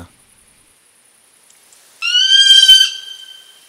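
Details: Female Tawny Owl giving her shriller, higher-pitched song, somewhat like a Little Owl's: one drawn-out, harsh, harmonic-rich screech that begins abruptly after two seconds of quiet and fades gradually.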